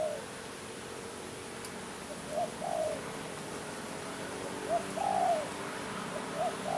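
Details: Spotted dove, locally tekukur, giving a few scattered low coos, short notes followed by longer drawn ones, separated by pauses, over a faint steady hum.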